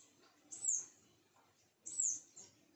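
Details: Sunbird at a home, giving two very high, thin notes that slide downward, about 1.3 seconds apart, over quiet low background hum.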